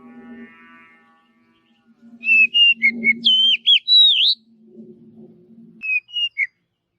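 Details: In a forest, an Oriental magpie-robin sings a fast run of loud, varied whistles with up-and-down slides, then a short closing phrase, over a steady low hum.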